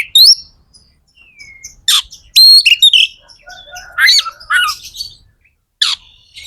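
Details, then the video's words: Magpie-robin (kacer) song used to encourage other kept birds to sing: scattered whistled notes, a long soft whistle, harsh bursts and mixed warbling phrases with quiet gaps. "Suara kacer gacor / DONGKRAK EMOSI KACER DAN JEBOLIN BIRAHI BIKIN KACER CEPAT KONSLET"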